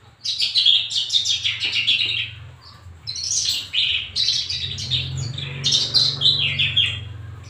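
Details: Javan bush lark kept in a cage and groomed for singing, delivering repeated bursts of high chirps and twitters in phrases about a second apart over a low steady hum.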